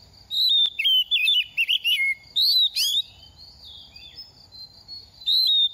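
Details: Young oriental magpie-robin in its second season, dropping feathers during moult: a run of rapid warbled whistles, a loud rising flourish, a pause with soft background notes, then a fresh clear whistle.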